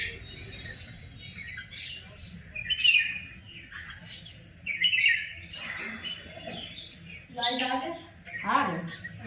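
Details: Birds in a village chirping in separate, spaced bursts of high, bright notes, with a rougher, buzzy call near the end, over quiet low background noise.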